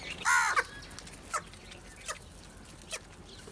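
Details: A single harsh, strong caw rings out early from crows gathered for food, followed by a few faint short calls and soft background noise.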